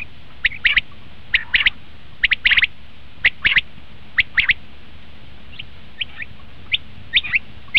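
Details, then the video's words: Common quail call used in quail hunting: spaced groups of crisp, high notes in pairs and triplets, louder at first, then fainter single notes toward the end. "batair ki awaz"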